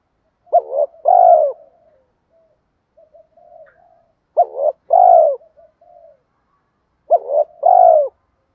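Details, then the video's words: Spotted dove cooing in a recording meant to lure wild doves, 2024. Three phrases come roughly every three seconds. Each has a short wavering double note, then a long, husky, falling coo. Quiet muttered coos fill the gaps. "Tiếng chim cu gáy Thúc gù gáy kích bổi cực nhạy nhất hiện nay, Chim cu gáy kích bổi 2024"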